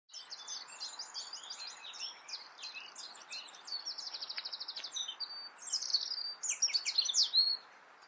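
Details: European robin (Erithacus rubecula) singing in the Eifel, Germany: a high, sweet, rambling phrase of quick twitters, thin whistles and rapid trills that shifts in pitch throughout, over faint background hiss.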